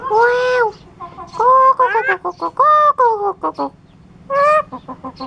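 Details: A clever starling from Curup, Indonesia, imitates a chicken. It gives harsh, clucking, nasal notes, several drawn out and others short and rapid in uneven bursts, over a constant low hum.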